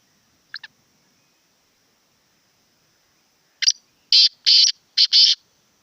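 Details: Black francolin calling: two faint short notes, a pause of about three seconds, then a loud series of harsh, grating bursts, one short followed by two longer ones and a closing pair, over a steady high hiss.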